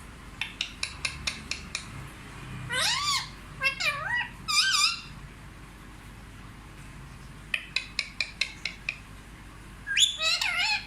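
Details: Talking Indian ringneck parakeet, a pet said to speak fluent Hindi, including 'mummy' and 'papa'. Bursts of short clipped chirps alternate with wavering, meow-like sliding phrases, rising and falling, in a quiet room.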